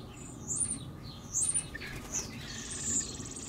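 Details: Eurasian blackbird, two fledglings from an early brood thrashing and flapping as they leave the nest; thin, very high drawn-out notes come in short bursts, with faint wing flutter and low background hum.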